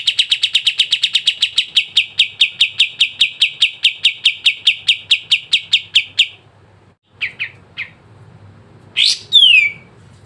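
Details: Sooty-headed bulbul, recorded for coaxing caged birds into song, gives a long rapid trill of clipped notes for six seconds, then a short pause, a few scattered chips and two loud downslurred whistles.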